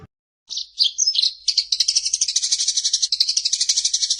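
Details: Eurasian tree sparrow in fighting mode: a few squeaky chirps give way to a dense, rapid, buzzy rolling trill of about four notes per second. The voice is high and clear, with no other sounds.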